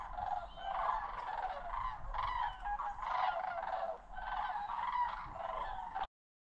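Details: Sandhill cranes migrating over Osoyoos in British Columbia's South Okanagan, Canada: many birds giving loud, rolling, trumpeting rattles that overlap continuously in bursts, with a brief dip in the middle before ending abruptly.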